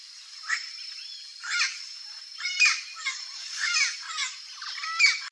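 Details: Turquoise-fronted parrot in natural habitat in Brazil: harsh, raspy squawks with nasal overtones given in separate bursts about once a second, over a steady high insect hiss.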